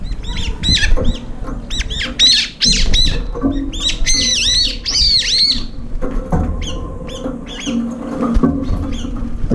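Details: Several Brown-eared bulbuls crowd a feeding bowl that is almost empty, fighting, flying up and chasing off approaching birds. Dense bursts of loud, squealing, down-arched calls overlap, with a low background rumble throughout.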